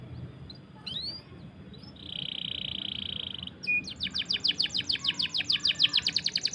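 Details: Canary song for tutoring young birds or coaxing silent canaries to sing: after a noisy start, a brief swept note, then a steady high buzzy trill, then a fast series of repeated high chirps.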